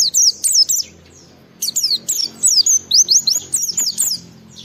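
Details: Oriental white-eye (pleci) singing vigorously to challenge rivals and draw other white-eyes into song: high, thin, sharply descending whistled notes in quick bursts, then a pause near one second before a longer run of rapid twittering phrases.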